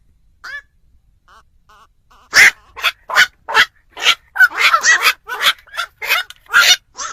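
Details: Black-crowned night heron calls played as a lure for trapping birds at night: a few faint notes, then a loud run of about a dozen harsh, barking croaks in quick succession, some doubled.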